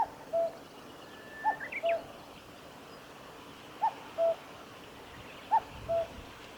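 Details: Common cuckoo in song, Kitafuji Maneuver Area, Japan, 15 July 2019. Several falling two-note cuck-oo calls spaced about two seconds apart, with a few faint higher notes from another bird early on.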